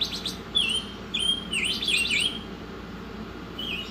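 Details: Oriental magpie-robin song used as a tutor recording, the bird singing energetically: a fast buzzy chirp burst opens, then sweet drawn-out whistles that dip and rise, some overlapping higher thin notes, with constant low background hum.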